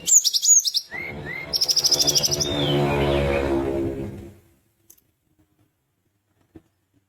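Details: Sunda minivet in lively song, meant to rile rival birds into answering: rapid high buzzy chirp bursts and two short upslurred whistles, followed by several seconds of broad hissing noise, then near silence.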